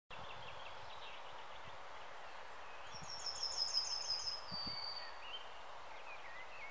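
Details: A Yellowhammer (Emberiza citrinella) sings its spring song in Denmark: a quick run of thin, high repeated notes ending in a drawn-out lower note, over steady wind-like rustling with faint calls of another bird.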